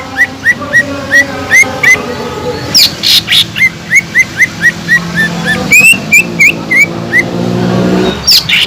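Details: Cucak ijo (green leafbird) song meant to stimulate listless birds into arousal: long runs of short rising whistled notes, evenly spaced about three per second, broken by a brief harsh chatter midway, with low background hum.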